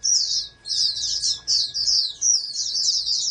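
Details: High, thin and rapid, the song of a bred oriental white-eye, a national contest prospect, pours out in nearly continuous twittering runs broken by short gaps. A soft background hum is present.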